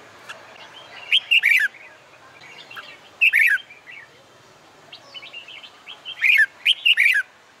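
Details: Contest-training red-whiskered bulbul in summer heat delivers lively, slightly buzzy warbled phrases of rapid notes, several bursts a few seconds apart, with lighter chirps from other birds between them.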